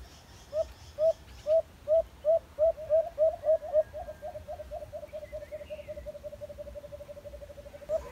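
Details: White-eared brown dove (alimokon) in a cage-trapping setting: around eight loud hollow coos at three per second, then a long, faster, fainter run of similar notes trailing off, with low background rumble.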